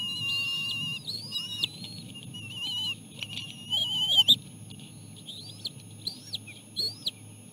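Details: Hungry bald eagle chicks greet their mother bringing seal placenta. The youngest chick fights off a sibling while feeding. Short, sharply rising and falling whistled squeaks come in bursts, with softer lower chitters and a constant low hum.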